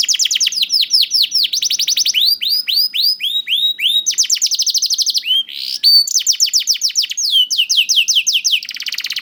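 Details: Steady song of a young canary used to encourage reluctant birds to sing; rolling trills of rapid high descending notes, a few lower swept phrases and a brief buzzy note midway.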